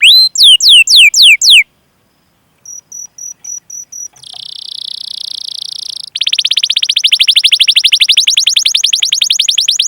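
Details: Canary master song used to spark singing in young or silent canaries: rapid falling chirps, a pause, a string of short high pips, then a buzzy trill turning into a long, fast rolling trill.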